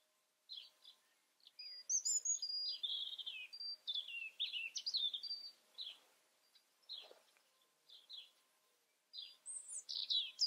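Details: European robin in the wild, giving varied high, thin phrases: sweet sustained whistles, quick trills and tumbling notes in separate bursts with short pauses, over faint steady background noise.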